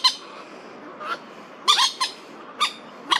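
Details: Crested Goshawk alarm calling during a territorial dispute between two males, Daan Forest Park, Taipei, late September 2022. Shrill, harsh squeals, one doubled, repeat about every half second in a short, agitated burst.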